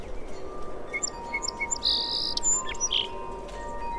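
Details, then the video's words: A song sparrow sings a few sharp, high introductory notes, then a dry buzzy trill and scattered chips over a steady low hum; source recording possibly from 8 am near a cottage. "Bird sound - Song Sparrow"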